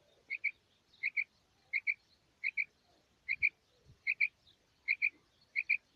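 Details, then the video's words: Female rain quail repeating a high, metallic two-note call steadily, about one pair every three-quarters of a second, over a faint low rural background hum. "Female Quail Calling 2019 | Maadi kirk | Maadi Batair Ki Awaz 2019| Female Rain Quail"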